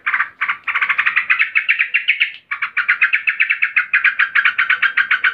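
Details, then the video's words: Female yellow-vented bulbul in an agitated state calling a male: an unbroken stream of rapid, evenly pulsed chattering notes, about four per second, with one brief break. "Trucukan BETINA NGAMUK GARUDA memanggil JANTAN"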